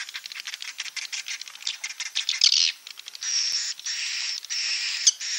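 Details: Klepek-klepek roosting sound of the edible-nest swiftlet, meant to draw swiftlets in: rapid scratchy high chatter that breaks into a longer continuous buzzy hiss with brief gaps.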